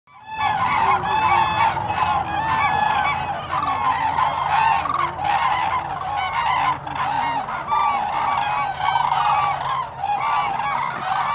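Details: Common cranes at Lake Hornborgasjon, Sweden, in April 2017: a dense chorus of loud, trumpeting, rolling calls from many birds overlapping continuously, with no gaps.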